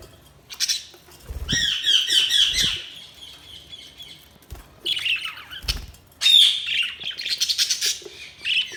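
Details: Budgies giving loud warbling chirps in bursts separated by brief pauses, with occasional low knocks in between.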